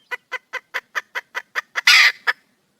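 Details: Female wild junglefowl calling for a male: a run of nine short, evenly spaced clucks about every quarter second, then a loud, harsh, broad squawk and one final cluck, with a quiet background.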